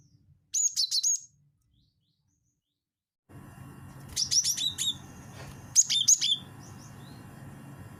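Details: Cinereous tit call used for luring birds: a short burst of sharp, high chirps, then silence, then two more chirping clusters over a steady background hiss.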